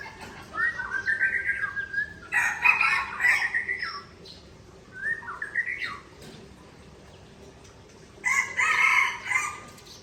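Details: Aceh white-rumped shama from Tangse in a singing duel with a rival: flowing whistled phrases broken by loud harsh, buzzy bursts, then a pause and another rough chattering outburst.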